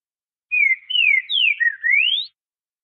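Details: A green-winged saltator sings a southern-type song: a clear whistled phrase of four notes over about two seconds, slurring down three times and then ending in a rising whistle.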